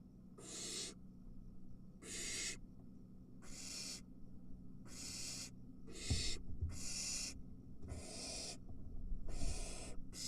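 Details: Three barn owl nestlings as a parent arrives with a mouse and one chick snatches it: eight rasping, breathy hisses about every second and a half, with bumps and scuffling in the second half.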